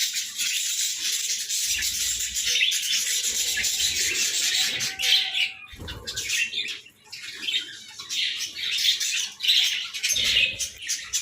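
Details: Pet budgerigars greeting the morning with long, dense runs of high scratchy warbling and chirps, with occasional low thumps, likely from wing flaps or movement.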